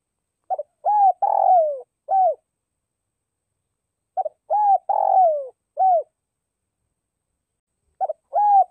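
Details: Spotted dove decoy bird calling to lure wild birds: phrases of low, hollow coos, two short notes then a longer falling coo and a final note, repeated about every three and a half seconds in a quiet setting.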